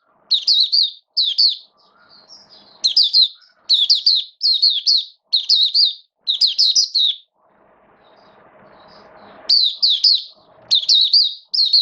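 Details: Caged Oriental white-eye (mata puteh) during wet rainy weather, 8 October 2022, giving its opening song: repeated groups of high, thin, down-slurred chirps, separated by gaps with a low hum and faint rustle.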